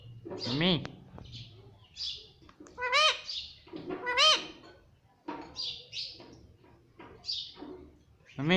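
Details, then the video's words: Talking parrot at home saying mummy: voice-like rising-falling syllables resembling 'mami', repeated about every second or two, alternating with thin high chirps. "Mummy Papa Bolne Wala Tota || Talking Parrot"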